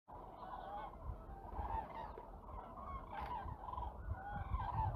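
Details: Ruddy shelducks (Tadorna ferruginea) give nasal, goose-like honks in quick overlapping series, several birds calling together over a low wind rumble; observed from a hide near Hergershausen and at Bickenbach, Germany, March 2022.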